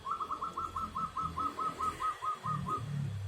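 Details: Local zebra dove song: a soft, steady series of about fourteen quick, mellow cooing notes at a regular pace over some three seconds, with a low background rumble.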